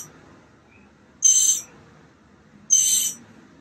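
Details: Two harsh, buzzy hissing calls about one and a half seconds apart from mockingbird nestlings almost ready to fly, recorded March 28th 2022 on the project's fifteenth day.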